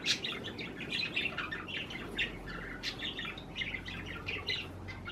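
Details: Budgerigars kept as pets chatter while eating cherry tomatoes: dense continuous twittering of short bright chirps overlapping throughout, over a faint low hum.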